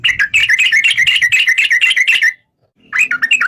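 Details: Yellow-vented bulbul (trucuk) in a rapid bubbly chatter of closely packed notes for over two seconds, a brief pause, then a few looping whistled notes that rise and fall.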